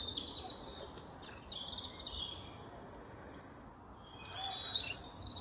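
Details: Wild European robin singing: high, sweet, thin whistled phrases at the start, a long quiet pause, then a tumbling, sparkling warble of very high notes, with faint steady hiss behind.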